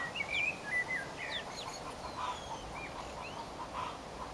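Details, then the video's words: Pekin bantam chicks, four weeks old, foraging in a garden alongside their silver laced wyandotte mother, give sharp high peeps and slurred chirps, busiest at the start, then scattered fainter notes over steady hum. "pekin bantam chicks foraging in the garden"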